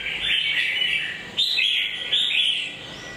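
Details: A red-whiskered bulbul gives three quick, liquid whistled phrases, each a bubbly slurred warble dipping and rising, separated by short gaps, over faint background hiss.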